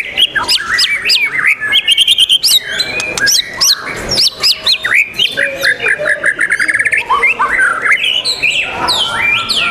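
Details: At a 12 December '21 singing contest, The Legend Murai Batu Nusantara, a white-rumped shama delivers loud, busy song: quick chattering bursts, upswept whistled notes and rapid trills in stuttering series, with overlapping song from nearby birds.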